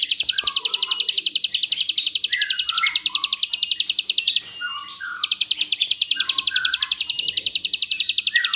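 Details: Bar-winged prinia singing a master song in the rapid 'tembakan ngebrend' style, used to train white-rumped shamas and oriental magpie-robins: a fast, steady train of high buzzy pulses with a short break midway, under lower slurred whistles and faint music.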